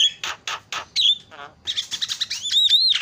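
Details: Javan myna lure sound to provoke other birds into calling: three rough, buzzy notes, then a whistle, a purring rattle, and a chattering run ending in a long wavering whistle.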